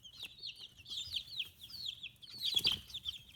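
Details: Domestic chicks fifteen days old, feathers coming in, raised free-range in Kitahiroshima, Hiroshima Prefecture, Japan; several birds give dense high peeping and trilled whistles, with a brief louder flurry and rustling near the end.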